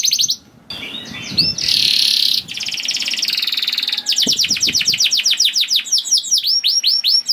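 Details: Canary song played as a lure to get other canaries singing: a continuous, very high, loud run of fast rolling trills, buzzy bursts and rapidly repeated sweeping whistled notes.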